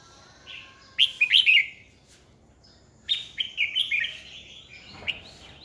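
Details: Red-whiskered bulbul decoy song meant to lure and excite rival bulbuls; two loud phrases of quick, bright whistled and warbled notes, separated by a short pause.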